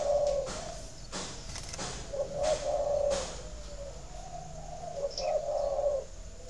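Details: Cooing of a captive spotted dove, a sound for prompting breeding birds to lay; short, low, throaty coo phrases recur every two to three seconds, with scattered clicks and a faint high chirp.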